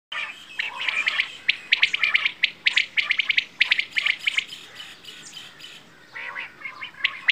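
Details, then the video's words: Quail, known locally as bedana or batair, giving dense bursts of short, sharp chirping notes clustered in quick runs, with brief pauses between bursts and a quieter stretch near the end. "Quail | Bedana | batair ki awaaz"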